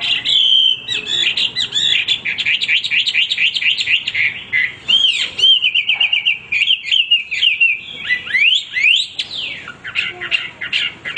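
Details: Hwamei singing without pause, in full energetic voice: loud rapid runs of whistled, slurred notes, many quick rising and falling sweeps repeated in bursts, with brief gaps and a varied, rich phrase structure.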